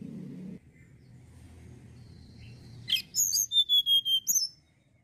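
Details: Sunda blue robin giving a faint thin whistle, then a sharp buzzy burst followed by around seven evenly spaced, high, ringing whistled notes and a closing chirp. A quiet low hum lies beneath.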